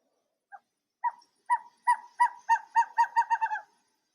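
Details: Western screech-owl, from a Seattle-area talk on owls, gives about eleven hollow, mellow hoots that start slow and speed up into a quick bouncing run, like a dropped ball settling; described as sounding like laughing.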